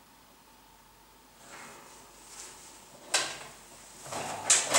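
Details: Quiet room tone, then scattered knocks and rustling thumps growing louder, with no animal voice.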